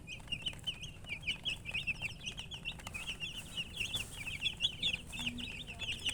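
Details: Baby chickens giving a near-constant stream of high, quick peeps, small rising and falling notes crowding into lively runs, a brief pause midway, steady hum underneath.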